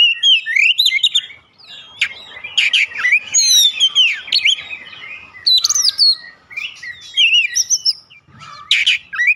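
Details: Loud, continuous song from an Oriental magpie-robin, played as a lure to make other birds sing. Dense mix of high whistles, rapid chattering notes, sharp clicks and up-down slurred phrases, with barely any pause.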